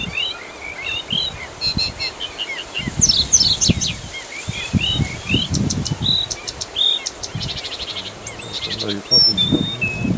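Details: A stationary Blyth's reed warbler at Galtås, just north of Glommen near Falkenberg, Sweden, sings an unhurried, varied run of high whistles, buzzy trills and clicks, each phrase repeated a few times, over low rumbling background noise.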